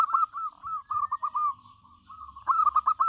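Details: Local zebra dove singing actively: a continuous run of rolling, stuttered coos at one steady mid pitch. The notes are quickly repeated and briefly pause near two seconds before a louder burst of clipped notes at the end.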